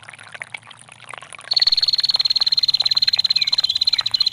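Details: Female bar-winged prinia giving a long ngetir call, played with gurgling water for training songbirds: after a second and a half of water sounds, a sustained high rapid trill of even pulses runs to the end.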